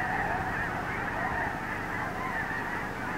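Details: Huge flock of wintering Snow Geese at Blackwater National Wildlife Refuge, Eastern Shore of Maryland, from the Wildlife Drive on 18 February 2023: a distant, unbroken din of countless overlapping honking calls blending into a steady clamour.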